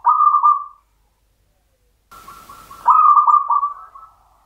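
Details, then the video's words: Mataram-style song of a champion local zebra dove (perkutut): a short pulsed cooing phrase, a pause, a brief burst of noise and clicks, then a longer mellow phrase of rolling, beat-like coos that fades away. "PERKUTUT LOKAL IRAMA PAKEM MATARAM JUARA"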